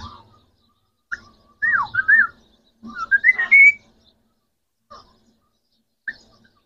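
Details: Green Pakistani talking parrot, one of three kept birds, producing a run of looping whistled and warbled phrases, swooping up and down, then a few short isolated chirps after pauses.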